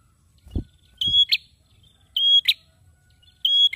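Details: Male prinia singing persistently: a steady, level high whistle followed by a sharp, buzzy chip, the pair repeated about every 1.2 seconds. Two dull low thumps come just before.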